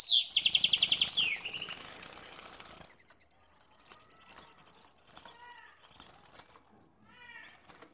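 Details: Male European goldfinch, aroused during mating with a canary, opening with a loud buzzy trill, then a long series of high, thin repeated notes, nearly three per second, gradually fading, with soft lower twitters near the end.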